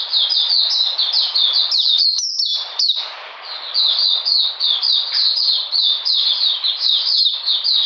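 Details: Oriental magpie-robin song during cold rainy weather on 13 June 2020, a sustained rapid series of whistled down-slurs with a short softer stretch partway through, then continuing steadily.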